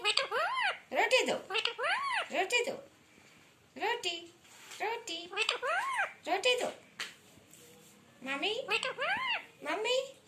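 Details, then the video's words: Indian talking parrot kept indoors, chattering nonstop in human-like phrases. The bursts are strongly harmonic and arched, with pauses between them and a sneeze-like note, in a small room. "Indian talking Parrot 😆😆|| pagal parrot nonstop talking"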